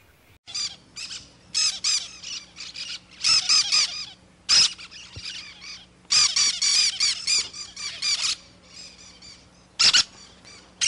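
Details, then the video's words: Cactus parakeet chatter: a dense, uneven run of short harsh squawks in bursts, some close together and some spaced apart. A low steady hum runs underneath. "CANTO do PERIQUITO-DA-CAATINGA"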